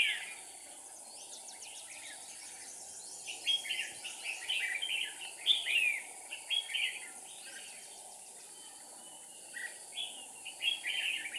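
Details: Red-whiskered bulbul used as a decoy in bird trapping, recorded 7 April 2019; bursts of rapid, bubbly whistled notes with swooping slurs, separated by quieter gaps with faint high ticking and hiss.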